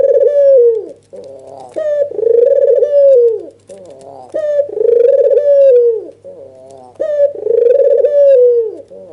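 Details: Agitated white dove with red eyes cooing during a nodding display meant to rouse a rival dove: loud rolling coos about two seconds long, each opened by a brief clipped note and dropping at the close, repeated four times.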